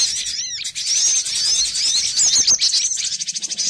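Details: Many cinereous tits in a bird-trapping lure recording: constant high twittering with quick downward-slurred chirps, ending in a run of rapid, evenly pulsed ticking notes.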